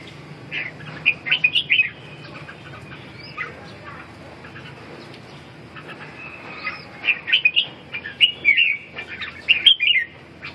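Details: Red-whiskered bulbul singing: a short burst of quick, bubbling warbled phrases early on, then a longer run of sweet, rising-and-falling notes near the end, over a faint low hum.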